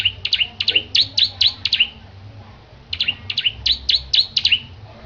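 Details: Bar-winged prinia from Petarukan in lively competition-preparation song: two rapid strings of piercing high chirps, about seven notes each, separated by a second of quiet.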